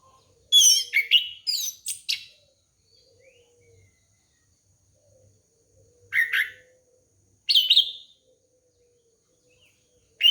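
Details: Song of an orange-headed thrush, used as a lure for young birds: short clusters of sharp, fluty notes separated by pauses of one to three seconds, each burst bright and high, with faint low tones between.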